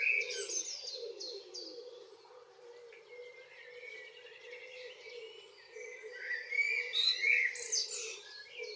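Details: Common blackbird singing on a June evening in Northwest Zealand, Denmark: mellow warbled phrases mid-pitch, with other birds' repeated high, sharply descending notes and a steady low hum of other background birds.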